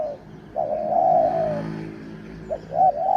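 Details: Spotted dove used as a decoy to lure wild doves, the sixth captured bird. It gives a short clipped note, then a long mellow wavering coo, then begins another phrase over faint background hiss.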